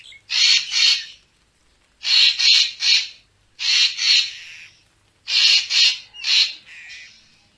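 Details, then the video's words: Used to draw racket-tailed treepies in for photography, this recording holds four groups of two or three loud, rasping calls, each group about a second and a half apart. "เสียงนกกาแวน คมชัด Racket-tailed Treepie sound"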